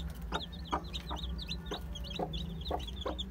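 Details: Day-old chicks (Aseel, Heera, Java, Muska) give overlapping shrill peeps, many sliding notes together, while loud knocking clicks recur roughly every half second above a low mechanical hum.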